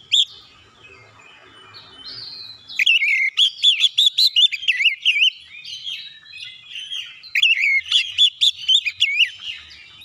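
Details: White-rumped shama song for prompting other shamas to sing, with soft twitters followed by a long, rich stream of fluting, wavering whistled notes.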